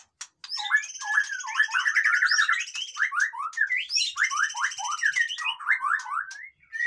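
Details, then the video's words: White-rumped shama song used to stir lazy captive birds into singing: rapid series of rich whistled notes sweeping up and down, with long buzzy rattling trills above, loud and busy throughout. "suara burung murai batu ribut cocok untuk dongkrak emosi burung yang malas bunyi"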